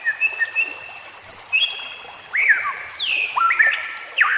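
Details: White-rumped shama training song for captive birds: soft chirps, then long thin drawn-out whistles at varied pitches with a few sharp downslurred notes.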